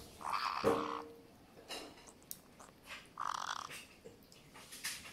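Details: Pet white-bellied parrots, a pair, tasting blueberries for the first time and making grating gurgling sounds of enjoyment; short rasping bursts with one brief clear tone, separated by quiet pauses and soft handling noises.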